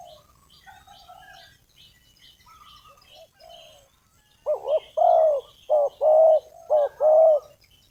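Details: Spotted dove call used to lure wild doves for trapping: after about four seconds of faint, high chirps from other small birds, a run of low, mellow coos begins, short doubled notes alternating with longer, steady coos.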